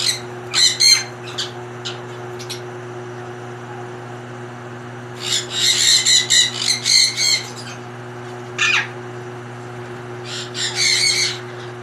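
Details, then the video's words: Rosy-faced and Fischer's lovebirds with mating calls played to encourage breeding: short shrill squawks and chirps in scattered clusters separated by pauses, over a constant low hum. "أقوي صوت لتزاوج طيور الروز والفيشر"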